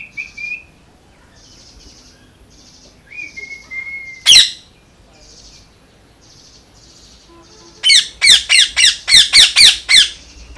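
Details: Parrot chirping and calling: short sliding whistles early, a single loud harsh squawk in the middle, then a fast burst of about eight sharp, ringing chirps repeated rapidly near the end, with faint soft rasping notes between.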